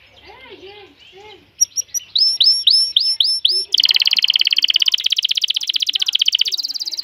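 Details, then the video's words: Excited male canary urging a female to mate: soft low warbled notes, then bright rising whistles repeated about twice a second, breaking into a dense, fast, high-pitched trill. "تغريد كناري جاهز التزاوج, تزاوج طاىر الكناري, نداء ذكر الكتاري التزاوج"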